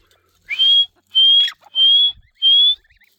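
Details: Grey francolin calling: four loud, clear whistled notes, each slightly rising and about a third of a second long, given at a steady pace roughly every 0.65 seconds, with near silence in between.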